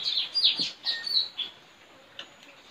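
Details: Trained lure Straw-headed bulbul competing with a neighbour's bird in a village, 4 April 2021: a fast series of high chirps and short whistles for about a second and a half, with steady background hiss.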